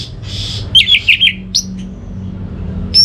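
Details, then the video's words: Orange-headed thrush song used to bring birds at home into song: a buzzy rasp followed by quick wavering whistled trill notes, a sharp upsweep and a final high whistle, over low hum. "ANIS MERAH Mau Nyaut Gacor❗❗❗Pancingan Ampuh Buat Burung Dirumah yang lagi Malas Bunyi"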